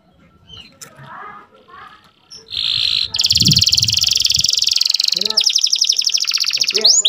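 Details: Young domestic canary song played to bring females into breeding condition: after soft low background murmuring, a dense high buzzy trill starts and rolls on, ending in rapid repeated chirps.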